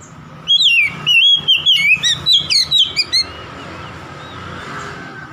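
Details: Oriental magpie-robin song used to provoke a rival: a rapid run of loud, slurred whistles mixed with sharp high chirps, lasting about three seconds, then a quiet background hum.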